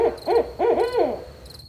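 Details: Nighttime barred owl calling in quick, rolling, rising-and-falling hoots, three or four close together and then fading, over a faint rhythmic chirping of crickets.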